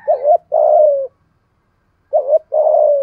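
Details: Decoy spotted dove calling to attract wild birds, giọng thổ voice style: two phrases, each a short wavering note followed by a longer, slightly falling coo, with a pause between.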